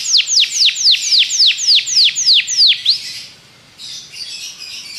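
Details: Belgian canary song aimed at getting other canaries to sing, a string of loud clear descending whistles, then softer scratchy chatter.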